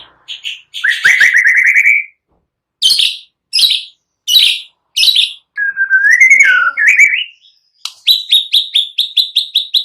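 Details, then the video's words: White-rumped shama in full song, used as a lure to provoke a silent shama to sing; mixed with cililin and prinia sounds. Loud varied phrases: clear whistled slurs, rising notes, short sharp bursts, then rapid repeated chips near the end. "Pancingan MURAI BATU GACOR"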